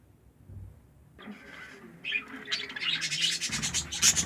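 Budgerigars chatter with scratchy, high-pitched chirps and squawks that grow busier and louder.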